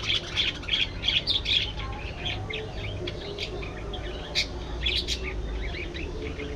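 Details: Budgies chattering: quick, high chirps and warbled notes in a busy run, several birds overlapping, with a few sharper peeps standing out near the end.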